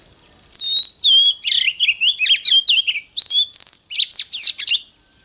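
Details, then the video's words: Oriental magpie-robin in fiery morning song: a downslurred whistle, then quick sequences of looping, buzzy and whistled notes, some rising steeply, with short gaps between bursts and a thin constant whine beneath. "Chích choè than hót sáng || Luyện choè than HÓT CĂNG LỬA"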